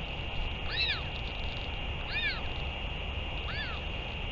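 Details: Three distinct arched, ringing calls from a Northern royal albatross during a return and feeding on 31 May 2023, each rising then falling, roughly a second and a half apart, above constant hiss.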